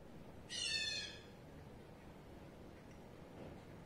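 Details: A male Indian grey hornbill (Ocyceros birostris) at a window gives a single shrill, squealing call of about half a second, as if calling to show off his partner.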